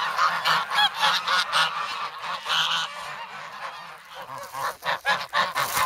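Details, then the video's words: Noisy, hungry young geese in the snow at Sloterpark, Amsterdam, on 3 February, pecking for bread; loud nasal honks come in rapid bursts, several birds calling over one another, with a short quieter gap midway. "Geese in the Snow"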